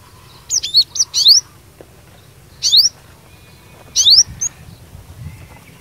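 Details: Cinereous tit, a fighter singer meant to spur other tits to answer: scattered bursts of high, sharp, descending two-part notes, three separate groups with pauses between, over low background rumble.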